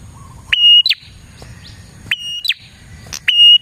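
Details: Prinia calling as a lure for prinias. A clean sustained whistle snaps into a short descending chirp, given three times in quick succession, with a soft low hum in the background.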